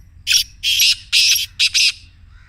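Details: Black francolin's excited 'masti' call, used to set a caged francolin calling in the morning. Five loud, scratchy, grating bursts in quick rhythm, the last two short and paired, all within two seconds against near silence.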